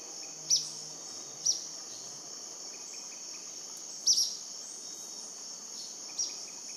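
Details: Purplish jacamar near Shaime, Cordillera del Condor, southeast Ecuador, 5 February 2014 at 10am, giving four sharp, very high, thin notes at irregular one- to two-second gaps over a steady, shrill insect drone.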